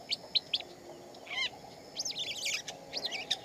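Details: A shama sings in its natural surroundings: a few sharp chips, a descending whistled slur, then a rich jumbled phrase of rapid twisting notes, set against a faint low hum.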